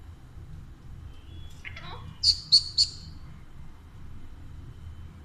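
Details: Alexandrine parakeet, a talking pet parrot being fed grapes, gives a short falling squeak followed by three sharp, high chirps in quick succession over low room hum.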